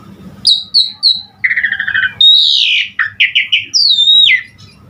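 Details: Jalak suren singing in gacor full isian style to prompt other starlings: three short whistles, a quick buzzy trill, a long sliding note, then several chopped whistles and a high falling slur.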